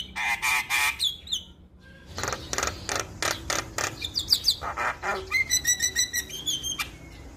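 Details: Energetic male Javan myna song intended to trigger singing in other mynas: grating buzzes, a short gap, then rapid rasping pulses leading into fast high chattering notes.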